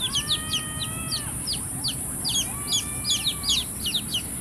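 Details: Baby chicks give busy, high, downward-sliding peeps. Long, steady, thin whistled tones run beneath them in two stretches, all over a continuous hiss.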